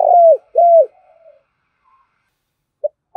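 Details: Spotted dove used as a decoy bird, cooing to urge rivals to fight: two smooth, low tonal coos, each level then dropping at the end, followed by near silence and a brief clipped note.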